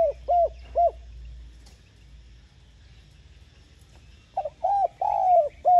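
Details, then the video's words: Spotted dove cooing to lure other doves: short, mellow, slightly falling coo notes in two bursts, three at the start and a run of four after a pause, over a low rumbling background. "Tiếng Cu Gáy Giọng hay GỌI +THÚC Dục BỔI Kích Bổi Nhanh Nổi"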